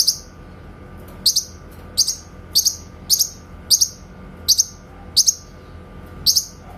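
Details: Grey-cheeked bulbul in clear shooting-style song, a master recording for white-rumped shama training: crisp, high doubled notes repeated roughly every two-thirds of a second at an even pace.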